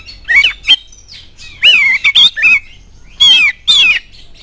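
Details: Lure song of an oriental magpie-robin, meant to make listening magpie-robins reply with energetic rattling song; bursts of rasping, harsh notes in quick clusters, some rising then falling, separated by brief silences.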